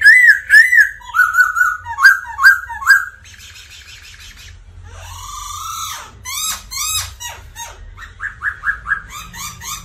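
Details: Strong song of a Black laughingthrush, recorded as training material to stimulate other birds: quick ringing whistled notes, a thin buzzy trill, a harsh rising rasp, then bright chipping phrases that speed up toward the end.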